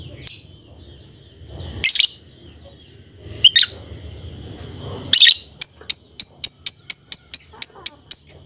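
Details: Lovebird making several harsh shrill squawks, then a quick even series of about ten sharp high ticks, over low background hum.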